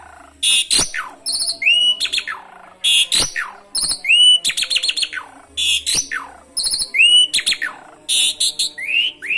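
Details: Asian pied starling in lively song filled with canary imitations, used to spur other birds into singing; bursts of sharp high chips, rising whistled slurs and fast trills come in phrases about every two and a half seconds with short pauses.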